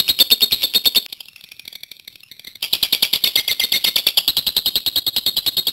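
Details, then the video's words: Lovebird, a prospective champion, singing 'gacor panjang': a rapid, high, rattling chatter that breaks off after a second into a softer, lower murmur, then bursts back into loud buzzy pulses that continue evenly to the end. "Suara LoveBird Gacor Panjang"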